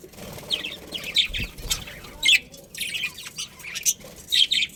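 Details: Chattering of budgies kept as breeding pairs in a colony: busy high-pitched twittering and squeaks overlapping in short bursts, with a faint low bump near the start.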